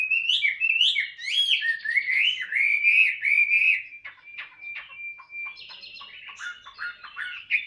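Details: Chinese hwamei, a tame cage bird, warming up its voice: loud slurred whistled phrases for about four seconds, then softer clicking notes, a thin held whistle and scattered short calls.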